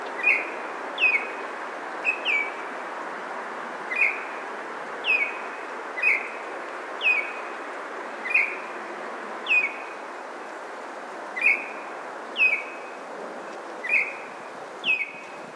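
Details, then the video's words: Baltimore oriole singing in a Maynard, Massachusetts neighborhood on May 9, 2023: clear whistled notes that slide downward, given about every second in a long, even series against faint background noise. "Baltimore Oriole Singing"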